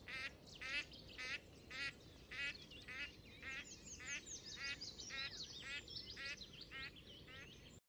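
Gadwall giving short nasal, reedy calls about twice a second, with thin high chatter from other birds and a steady low rumble behind.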